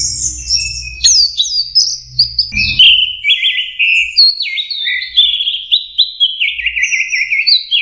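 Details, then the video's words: Young orange-headed thrush learning to sing: a long run of varied whistled and warbled phrases, partly mimicked, gradually dropping from high to slightly lower pitch, with faint low rumbling in the first seconds. "anis merah belajar kicau"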